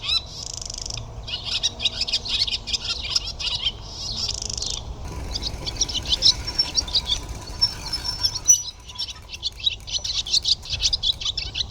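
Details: Barn Swallow singing: a fast, continuous high twitter of clicking and liquid notes, with dense buzzy bursts near the start and again around the middle. A low rumble runs underneath.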